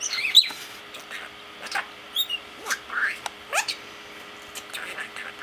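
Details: A male parakeet talks to himself in quick, scratchy warbles, squeaky chirps and brief rising whistles, with little pause between sounds and nothing else heard.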